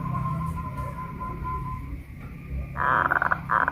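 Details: Caged local Pajajaran zebra dove in Kuningan, West Java, hoisted on a pole and singing: one loud, pulsed, rolling coo phrase near the end, over strong low rumbling background noise.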